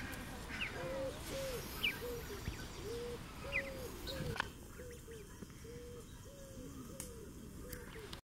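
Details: Barnacle geese with goslings give short, yapping, dog-like barks about twice a second, overlapping, with thin high peeps, likely goslings, mixed in over a rough, noisy background.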